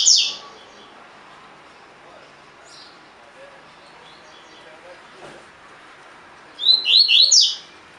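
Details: Captive double-collared seedeater singing tui tui fibra style training song. A single high chip opens, then a long quiet stretch with faint rustling, then one bright phrase of three or four descending slurred whistles near the end.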